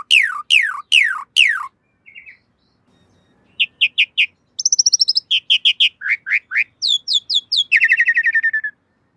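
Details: Black-winged myna master song for cage-bird training: four loud downward-sweeping whistles, then a quiet gap and fast series of high chirps and trills ending in a descending rattle.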